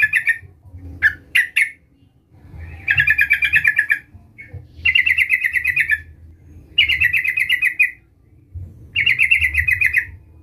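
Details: Sooty-headed bulbul calling to draw out a rival: two short sharp notes, then four long buzzy chattering bursts around two seconds each, evenly spaced, with a low hum underneath.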